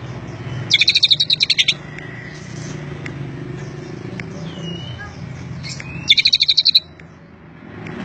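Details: Greater green leafbird (cucak ijo) singing in the isian Cililin style: two bursts of rapid, evenly repeated high chattering notes about a second apart, with faint thin whistles between them over a steady low hum.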